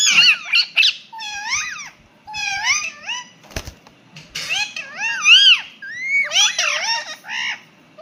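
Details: A pet Indian ringneck parrot imitating a cat's meow: a run of high, harmonic, meow-like squawks that rise and fall, in short phrases repeated over several seconds, with a sharp click midway.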